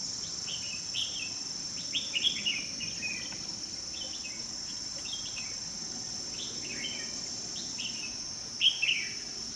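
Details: Red-whiskered bulbul at a trapping site with a decoy bird, 2 May 2020. Scattered soft chirped phrases run throughout, ending in a louder bubbly burst, beneath a continuous high-pitched insect drone and low background rumble.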